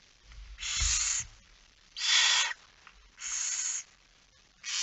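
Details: Barn owl at the nest at night during feeding, 10 September 2019 at 22:45. Steady, roughly half-second rasping hisses recur about every second, with a soft thump near the start.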